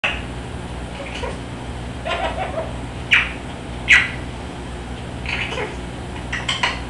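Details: Baby, a pet severe macaw, laughs and says "I love you": scattered short, raspy laugh-like notes and mimicked phrases, with two loud squawky bursts close together, over a steady low household hum.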